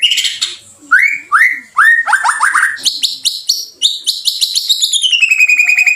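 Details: Murai batu, the white-rumped shama, giving lure song to provoke a quick response: bold upslurred whistles, then quick buzzy high trills, ending in a long fast warble that falls gradually in pitch.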